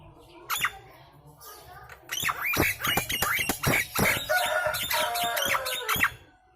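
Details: Loud Nias hill myna lure sound for prompting birds to respond and sing, with rapid clicks, squawks and ringing whistled notes in quick succession, building into a busy, continuous stretch before stopping.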